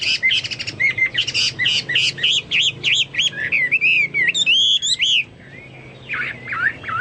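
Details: Vigorously singing (gacor) Chinese hwamei, song said to resemble cucak Papua or cucak mas: a fast stream of clear whistled phrases with looping, wavering slurs, ending in a short pause and a few quieter notes.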